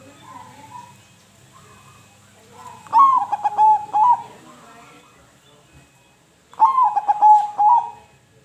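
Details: Zebra dove cooing to prompt quiet doves to sing: two full song phrases about four seconds apart, each a rising opening note, a burst of clipped stuttering coos, and a prolonged final coo, with softer coos between.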